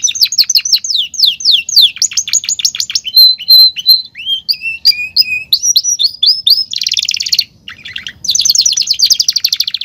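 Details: Caged canary in full song: rapid repeated downward sweeps, steady whistled notes, twisting chirps, and dense buzzing rolled trills, all high and loud with no other sounds.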